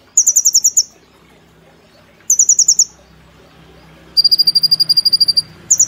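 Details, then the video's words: Brown-throated sunbird (kolibri ninja), a cage bird in a tutor recording in the gacor nembak style: three bursts of rapid, very high staccato notes, the last a longer, slightly lower machine-gun trill, with a faint hum beneath. "Kolibri Ninja Gacor Nembak Platuk Cililin Sejalur"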